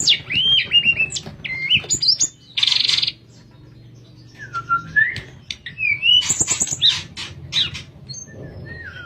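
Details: Flute-like nyuling song of a sooty-headed bulbul, used to tutor other songbirds; clear whistled slurs, some falling and some rising, alternate with a short harsh burst and a quiet gap midway.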